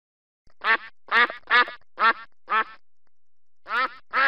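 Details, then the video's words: A duck gives loud, nasal, rasping quacks: five in quick succession, a second's pause, then two more, with no other sounds. "birds sounds | duck"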